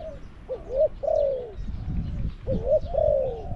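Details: Spotted dove kept as a caged decoy at Song Phi Nong, Thailand, to draw in wild birds: two mellow coo phrases, a short upslurred note followed by a drawn-out descending croo, over quiet low rumble.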